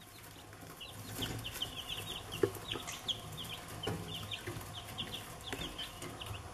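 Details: Chicks peeping: a steady stream of short, high, downward-slurred peeps, many overlapping and repeated every fraction of a second, over a low rumbling background hum.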